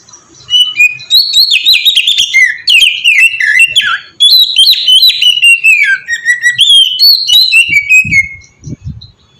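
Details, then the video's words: Kacer, the oriental magpie-robin, in sweet ngeplong song meant to prompt birds to sing: long continuous series of varied whistles stepping down in pitch, mixed with rapid chattering notes, ending with soft low thumps. "suara burung kacer ngeplong merdu sangat ampuh buat pancingan kacer bahan bikin cepat gacor"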